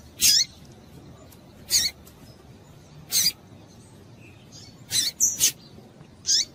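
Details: Rusty-collared seedeater female calling in heat to stimulate males: short, sharp, high chip notes, each a brief bright burst, six of them spaced irregularly about one to two seconds apart, two in quick succession near the end, over quiet background.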